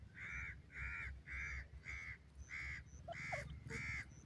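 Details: Grey francolin in the woods in the first days, giving a rapid series of seven loud, harsh, nasal notes, each about a third of a second long, with brief high chirps from small birds and a low background hum.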